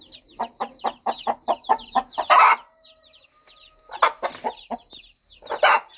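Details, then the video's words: Rapid, rhythmic low clucks from a mother hen calling her baby chicks, about five per second, with high chick cheeps overhead. Loud, harsh squawking bursts break in twice, and a faint steady tone lingers between. "Sound of Mother Hen Calling Her Baby Chicks"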